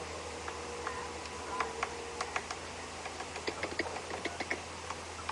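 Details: A female Bearded Woodpecker, seen during an afternoon safari drive on 18 May 2016, taps at wood in soft, dry, irregular clicks, several each second, over a low steady hum.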